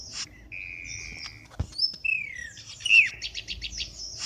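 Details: Black-winged starling lure call used for trapping birds: a long flat whistle, then sliding rising and falling whistles, ending in a quick series of buzzy, stuttering notes, with one sharp click in between.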